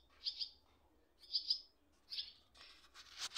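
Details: Swallow chicks in a nest, a parent visiting only briefly: rasping high double chirps repeated roughly once a second, ending in a denser, noisier flurry of harsh calls.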